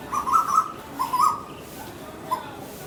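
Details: A cuckoo fighting in a garden gives three short, harsh bursts of mid-pitched, slightly wavering notes about a second apart over faint hiss; such calls are described as communication while fighting.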